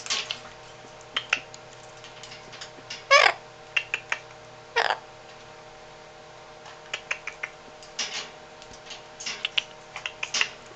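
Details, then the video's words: Eight-year-old pet yellow-collared macaw clicking, talking and tapping: scattered sharp clicks and taps, with two louder harsh bursts near three and five seconds, over a steady indoor hum. "Yellow Collared Macaw click, speak, tap"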